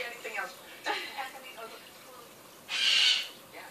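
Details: A pet umbrella cockatoo, asked by its owner to "do the dog", imitates a dog's bark: a few short, rough bursts, then one loud, harsh, drawn-out screech, with a person's voice faintly heard.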